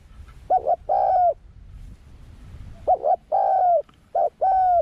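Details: Young spotted dove taken out to the forest for the first time in training, cooing in low mellow phrases. Each phrase is a clipped double note followed by a long sustained coo, heard about twice.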